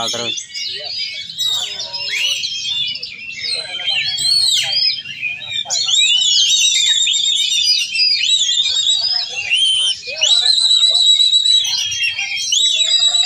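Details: Oriental magpie-robin, a prize-winning contest bird from Cilegon, Banten, singing a loud, continuous stream of rich whistles and rapid chattering trills, including mimicked bulbul phrases, with brief murmurs from people nearby.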